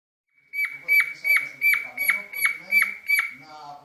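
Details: Pet cockatiel in mating mood, singing a run of eight clear, even whistled notes. Each note has a downward flick and comes roughly every third of a second before the phrase stops. The room is quiet.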